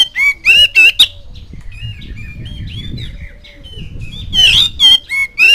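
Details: Oriental magpie-robin recording used to stimulate young birds to sing: loud ringing harsh notes open and close the clip, with softer chattering phrases and low rumbling in the middle.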